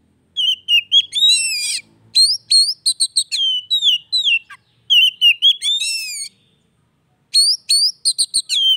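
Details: Oriental magpie-robin song played as daily therapy to coax a silent kacer back into singing: varied loud whistled phrases, sliding slurs, upswept notes and buzzy chattering bursts in quick runs, with a silent pause before a final burst.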